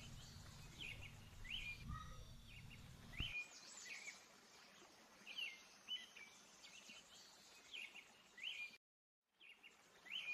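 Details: Several house sparrows eating in a backyard patio utter short bright chirps, irregular and overlapping, over low background rumble that drops away partway through, with a brief gap of silence near the end.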